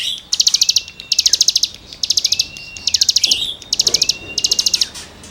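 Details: Cigun song used as tutoring material for songbirds: bursts of rapid, high metallic ticking notes in trains of about half a second, alternating with long thin level whistles, over a faint background hiss.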